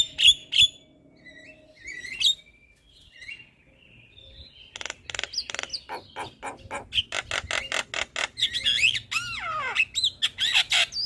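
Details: Javan myna singing actively in the morning, used as a lure and training recording: scattered whistles, a pause, then a dense run of rapid harsh clicks, chatter and swooping whistles that grows busier toward the end.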